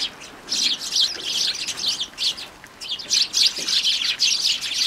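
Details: Sparrows noisily visiting a home feeder table on January 2, giving bursts of sharp, high chirps separated by short quieter gaps.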